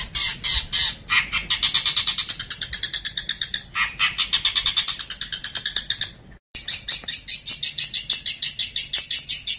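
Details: Long-tailed shrike in a training recording for songbirds: a fast, grating chatter of rasping pulses in long runs, briefly broken by silence, then resuming as sharper ticking notes.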